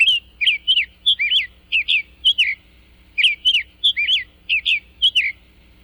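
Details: A Summer Tanager sings a run of sweet, robin-like whistled phrases, rising and falling, in short groups.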